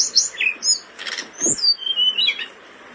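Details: Blood-breasted flowerpecker in breeding condition, singing energetically as tutor material for caged birds; high, thin whistled notes and quick sweeping squeaks, broken midway by a short burst of broadband rustling.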